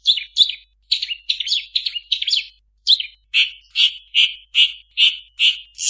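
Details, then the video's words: Long-tailed shrike singing a song packed with imitations of other birds; a run of varied chirps and warbled notes, then a steady series of short buzzy notes repeated about twice a second, clean with no background noise. "Suara burung cendet mp3 banyak isian"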